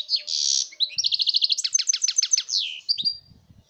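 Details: European goldfinch singing, recorded 2019: a buzzy opening note leads into a rapid, evenly spaced series of clear chirps, then tinkling trills ending in a drawn-out whistle; faint low thumps near the end.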